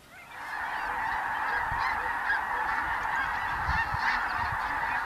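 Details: Snow geese feeding and loafing among blue geese, Ross's geese and other waterfowl on the prairies of the Dakotas during spring migration; a huge flock fades in, then a continuous dense roar of overlapping nasal honks and yelps.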